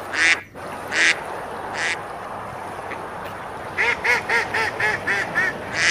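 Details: Quacking ducks feeding on a river in the medieval village of Besalú, Spain, in summer: three spaced harsh quacks, a pause, then a quicker run of six rasping calls with clear ringing overtones.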